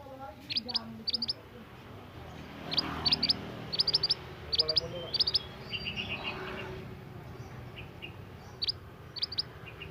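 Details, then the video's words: Scarlet minivet, a young bird from the forest, in full song: tight groups of two or three piercing high chirps repeated several times, then softer whistled notes, over background talk. "burung mantenan gacor muda hutan"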